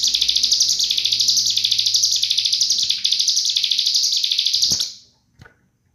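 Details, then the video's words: Cigun delivering full 'nembak rapat' rapid song for training other birds: a long, high, buzzy trill of fast, even pulses in rhythmic surges fades out, followed by near silence with a few faint clicks. "Masteran Full Nembak Rapat Burung CIGUN"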